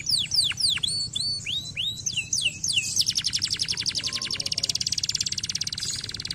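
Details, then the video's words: Canary song starting with swooping downslurred and upswept whistles, then a long fast buzzy trill of high notes that speeds up toward the end. "estimular muito rapidamente o som do chilrear dos canários preguiçosos"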